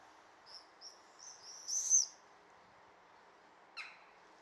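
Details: Swifts on the wing, back on 16 May 2023, giving short thin high screeches that build into a louder drawn-out scream, then quiet, with one brief lower chirp near the end.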